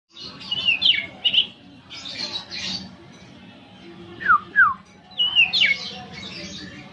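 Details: Pet oriental magpie-robin, a favourite bird never entered in contests, heard in the morning over coffee. Scattered loud whistled notes and quick downslurred whistles in short bursts over steady broadband background noise, with voices nearby.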